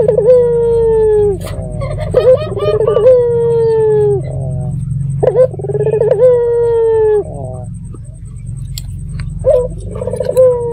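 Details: Local red-eyed dove used as a lure to make other doves answer: three long, steady, mellow coos, each opened by a quick rolling trill, with a low background hum throughout.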